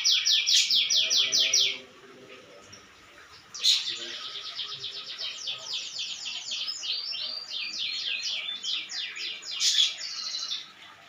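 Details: Canary in full song: a loud, rapid trill, a pause of nearly two seconds, then varied rolling phrases and chattering trills, with occasional sharp clicks in the background.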